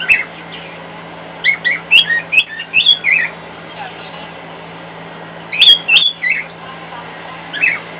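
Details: A pet male cockatiel sings louder than normal to a hairdryer running in the next room, in short bursts of warbled, chirpy whistles, one long run and a second shorter one, over the hairdryer's steady low drone.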